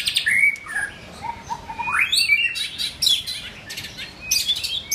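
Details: White-rumped shama during form building, singing loud clear whistled notes, a rising slur, then sharp chattering clicks and high sweet phrases in quick succession.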